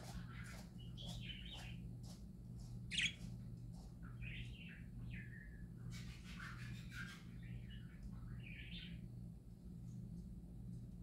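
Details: Happy parakeets singing: scattered chirps and short warbled phrases, bright and twittering, spread across the clip with a sharp squeak near three seconds, over a steady low electrical hum.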